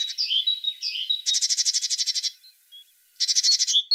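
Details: Singing tit with a mix of twittering whistled notes and fast dry buzzy trills, two bursts of rattling churr separated by a short pause, other brief high chirps around them.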